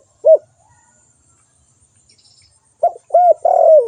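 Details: Spotted dove calling: a single soft coo, then after a pause a quick phrase of three coos ending in a longer, falling note.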